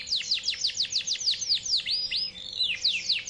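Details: Yorkshire canary in long song, said to be seeking a rival: rapid descending whistled sweeps repeated several times a second, a short buzzy middle section, then more bright sweeping notes over a faint hum.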